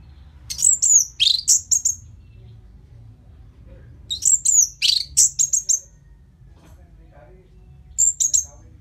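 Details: Orange-headed thrush singing, played as a lure to make a bird keener and more aggressive after moulting: three bursts of high, sharp, chirpy and squeaky notes about four seconds apart, each a quick string of varied tweets, with a faint background hum.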